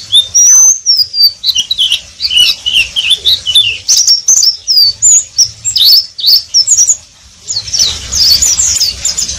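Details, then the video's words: Twittering ngeriwik song of an Oriental white-eye: a long chain of sharp, high, slurred chirps delivered rapidly and almost without gaps, a short lull near the end before another dense burst of squeaky notes. "Pleci wiklus"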